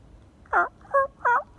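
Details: A wild turkey tom on public land gobbles hard in rapid rattling bursts of three loud gurgling notes, answering a person and approaching without any call being used.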